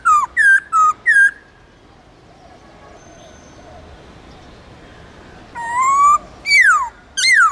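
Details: Long, clear forest-style song of a white-cheeked laughingthrush from the Central Highlands, Vietnam, used to train young birds: four quick hooked whistles, a long silence, then a rising whistle and two steep descending slurs.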